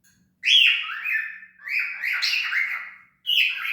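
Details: A cockatiel warbles in long, continuous whistled phrases that bend up and down, broken by one brief pause before another burst; a faint low hum lies underneath.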